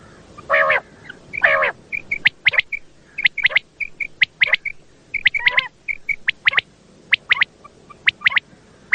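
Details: Common quail calling at night, a recording used to lure quail for hunting in Pakistan: low, harsh, drawn-out growling notes, then quick sharp whistled pips in short groups, repeated irregularly.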